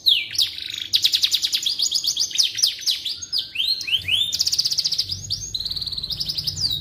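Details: Continuous canary singing used to train magpie robins: a mix of fast trills, swooping slurs and short bright rolls in quick succession, with a low rumbling hum rising in the final seconds.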